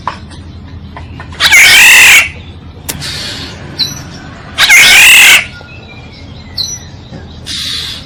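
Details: Black-naped oriole for luring birds: two loud, scratchy nasal calls about three seconds apart, interspersed with faint short whistled notes in a quiet background.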